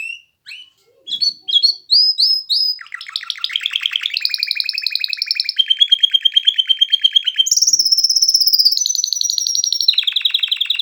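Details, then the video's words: Excited canary song: short rising whistles, then a chain of rapid rolled trills at different pitches, each held for a second or two, finishing with a high fast roll and a lower buzzy run. "کنری مست/خواندن کناری مست/قناری با صدای عالی/KANARYA sesi"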